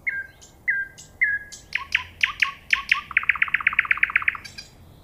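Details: Nightingale song opening with three clear slurred whistles, then breaking into a rapid run of sharp repeated notes that speeds into an even trill before a short high flourish.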